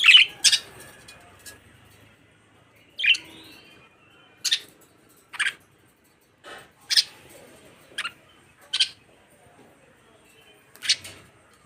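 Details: Budgies giving scattered sharp chirps and brief squawks, single notes spaced one to two seconds apart, with some clicking and a quiet background.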